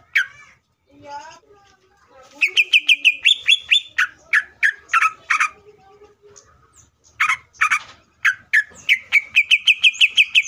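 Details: Greater green leafbird (cucak ijo) pours out a loud, varied song of sharp chirps, rapid rattling trills and whistled notes around three a second, with mimic-like phrases, used as a lure to provoke other leafbirds into singing.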